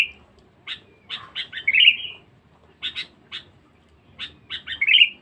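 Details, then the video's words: Sooty-headed bulbul, a very chatty, fierce lure bird, gives quick clipped notes leading into a rolling, slightly descending warble, the phrase heard twice with a short silence between. "pikat kutilang bagus"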